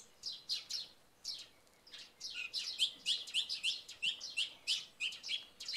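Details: Song thrush singing in the early morning after night rain, with sparrows chirping alongside. Bright, high notes come in quick repeated bursts, with short sharp phrases and downward sweeps following each other almost continuously.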